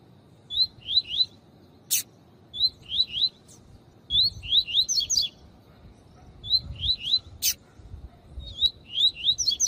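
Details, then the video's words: Double-collared seedeater male, accompanied by a calling female for stimulating males: repeated groups of two to four clear whistled slurred notes about every two seconds, separated by occasional sharp broadband clicks. "CANTORIA DE COLEIRO TUI TUI PROFESSOR COM FÊMEA CHAMANDO PARA ESQUENTAR COLEIRO E PAPA CAPIM TUI TUI"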